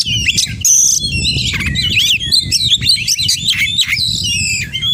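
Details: Oriental magpie-robin (kacer) in lively, full-mimicry song: dense stream of rapid whistles, sharp chirps and buzzy trills, fast pitch sweeps and warbled phrases packed with imitated notes, low rumbling background beneath.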